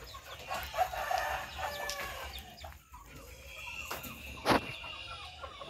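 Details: Chickens crowing: a harmonic, drawn-out crow rises and falls over the first two seconds. Softer clucks follow, with a sharp loud knock near the end and steady background hum.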